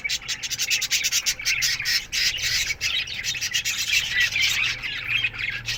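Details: Aviary budgerigars in the morning chatter as a group, rapid scratchy chirps and warbling notes packed closely together, with a rough rubbing texture under the bird voices.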